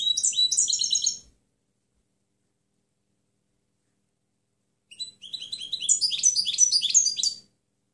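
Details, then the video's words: European goldfinch singing in a clean training recording for other birds: a short burst of quick tinkling twitters, a long silent gap, then a longer, denser phrase of high chirps and bright trilled notes. "Canto del Jilguero Limpio Chant chardonneret"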